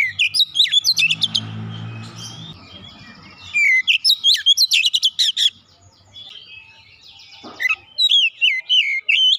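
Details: Oriental magpie-robin used as a singing lure. Rapid sharp chirps over a low rumbling background, then a loud burst of varied whistles. A quiet gap follows before the twisting, high whistled phrases return.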